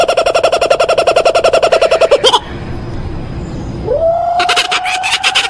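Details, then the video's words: Frightening-sounding kookaburra song: a fast, rattling string of harsh notes stops abruptly after two seconds, a quiet pause follows, then a rising hoot swells back into rapid cackling. "Canto assustador do pássaro Koocaburra"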